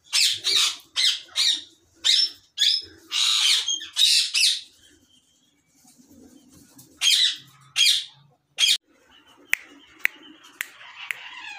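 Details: Captive rose-ringed parakeets (ringnecks) in a breeding colony setup with nest boxes in Pakistan, 2022, giving loud, harsh, high screeches in rapid bursts, a short pause, then more screeches and a few sharp clicks.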